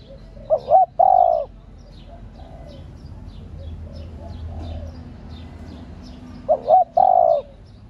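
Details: Spotted dove hen cooing to stimulate males: a loud two-note lead-in and long coo at the start, soft faint coos through the middle, then the same phrase again about six seconds later.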